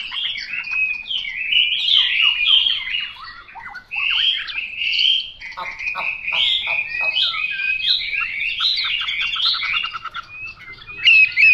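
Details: Sustained Chinese hwamei song of varied phrases: rolling, looping whistles mixed with rapid clipped notes and trills, with brief pauses between bursts and otherwise quiet surroundings.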